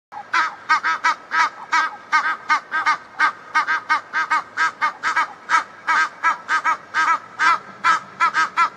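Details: A pair of Egyptian geese in a backyard, perhaps calling to each other, give a steady run of loud, nasal, harmonic honks, about two to three a second, with uneven spacing and no pauses.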